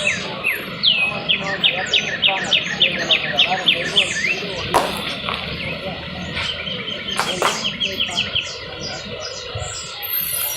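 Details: Trill of a canary: a fast, even series of rapid repeated notes, followed by scattered chirps and a sharp click, over low background noise.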